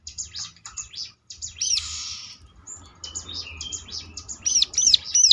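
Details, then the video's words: Bar-winged Prinia used as a lure to make other birds answer and sing: high thin chirps in quick bursts, a rushing buzzy passage near the middle, and sharp arched repeated notes returning toward the end. "ciblek lain ngecLak ikut nyaut || mesti Nyautnya."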